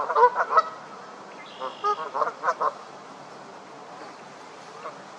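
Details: Canada geese honking loudly while getting into a fight: harsh, nasal honks in bursts, a quick cluster at the start, then five or six spaced honks in the middle and one faint honk near the end, over a steady background hiss.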